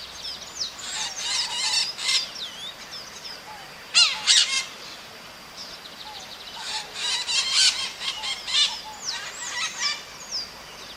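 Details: Small parrots known as maritacas calling outdoors: repeated bouts of grating, raucous squawks and short downslurred whistles, busiest around four and seven to nine seconds, against constant hissing background.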